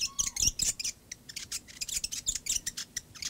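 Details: Fantail in a backyard: rapid series of short, sharp high chirps and ticking notes, some with thin squeaky whistled elements, repeating several times a second.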